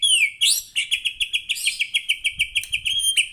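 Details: A white-rumped shama sings to stimulate other shamas: a few swooping whistles, then a quick series of short, sharp, repeated notes, roughly three per second, on a steady high pitch.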